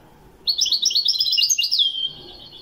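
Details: Moroccan Widani goldfinch giving one short, rapid run of liquid twitters that ends in a long, level whistled note.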